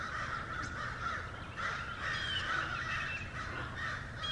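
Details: Many American crows on a Georgia farmstead mob a great horned owl lurking in the woods across a pond, cawing harshly and raggedly in overlapping calls about twice a second, over steady outdoor background noise.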